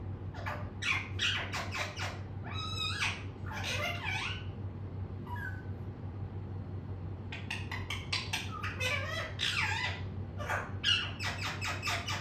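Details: Talking pet parrot utters bursts of shrill, warbling, speech-like squawks and squeaks, a few bent upward into chirps, pausing quietly midway before a rapid run of clipped notes; constant low hum underneath.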